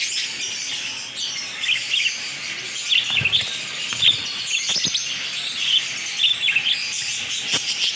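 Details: Captive African lovebird chicks bred at home, producing busy, overlapping high-pitched chirps and twitters throughout, with scattered louder clicks in the middle.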